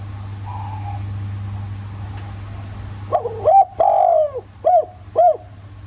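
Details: Spotted dove lure song in the 'giọng thổ' voice, meant to set other doves calling. A faint distant coo comes first, then a loud phrase of short rising notes, one long sliding coo and two clipped arched notes. A low electrical hum runs throughout.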